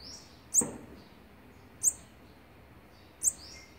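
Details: Olive-backed sunbird at the nest while feeding young on the sixteenth day, October 2019; three high, sharp chirps spaced over a second apart, with a soft knock under the first.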